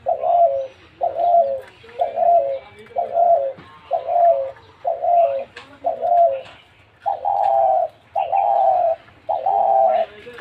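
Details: Spotted dove kept in a cage cooing steadily: about ten soft, low notes repeated close to once a second, the last few longer and louder, over a quiet rustling background.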